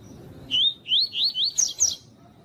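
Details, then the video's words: Tui tui type tutor song of a double-collared seedeater, played with female calls to stimulate males to sing: six looping whistled notes, the last two pitched higher and sharper, over quiet background hiss. "CANTO DO COLEIRO TUI TUI PROFESSOR COM PIADO DE FÊMEA DE COLEIRO"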